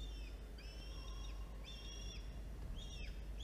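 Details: Falcon chicks, the older hatched 1 October and the younger 5 October, being fed prey on 13 October 2022. Four level, piping whistles, each about half a second long and dropping at the end, over steady low noise.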